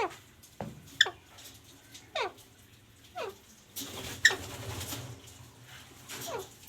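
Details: Pet parrot indoors, said to be talking, giving sharp descending squawk-like calls spaced irregularly about a second apart, with faint room noise between them.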